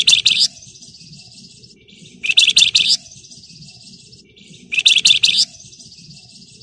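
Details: Flamboyan bird singing in a lively, dense ngebren style with nyerecet phrases, used to provoke other birds into song: three bursts of high, buzzy, rapid chattering, about every two and a half seconds, each trailing into a thin whistle. Low background hum throughout.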